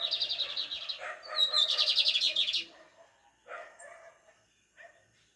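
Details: A lined seedeater sings pardinho-style song, opening with a pulsed buzzy trill, then a bright whistle dropping into a dense rattling buzz. Lower chirps follow, with brief quieter calls near the end.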